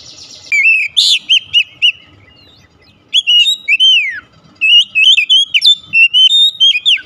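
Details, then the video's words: Oriental magpie-robin singing to entice: a burst of sharp, rising whistles, then a long descending slurred whistle, then busy warbled phrases of looping notes repeated in quick succession. "kicauan Kacer memikat | Kacer rumahan langsung respon gacor"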